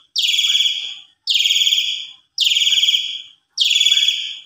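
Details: Javan pied starling used as a lure to make birds respond and sing fully: four strong, grating, buzzy bursts with a rapid rattling texture, each about a second long, repeated steadily every second or so with silence between.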